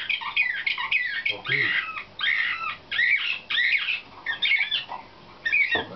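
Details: Dense nightingale-type slavujar singing by canaries chosen for competition, 2013 training session: continuous tumbling phrases of rich, bubbling chirps and slurred notes with brief gaps between bursts.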